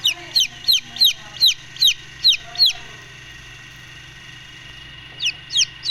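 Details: Brooding Golden Misri chicks peep in a rapid run of high downward-sliding notes, then fall silent for about two seconds before three more peeps close the run. A low steady hum sits underneath.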